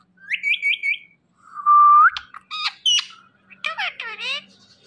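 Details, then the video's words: Indian ringneck parakeet talking: a run of bright rising chirps, then a long level whistled note, then sharp squawks and buzzy chattering phrases. The notes come in short bursts with silent gaps between them. "Funny Indian Ringneck Parrot Talking Compilation"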